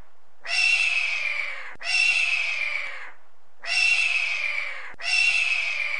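A hawk gives four harsh, raspy screams, each just over a second long and sliding slightly downward, in two close pairs with no other sounds.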